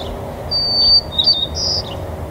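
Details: White-crowned sparrows at Woodlawn Cemetery on 25 November 2020: thin, high, steady whistled notes followed by a few short sharp notes, over a quiet background hum.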